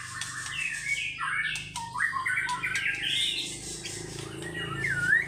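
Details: White-rumped shama, a fighter-style singer showing off its varied song, pours out a rapid run of whistled and squawky rising notes over a low steady hum.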